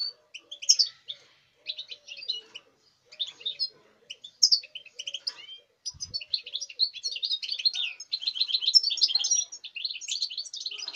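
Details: European goldfinch bred this season, recorded 05.08.2019, gives short separated twitter bursts at first, then a sustained fast tinkling, chirping song.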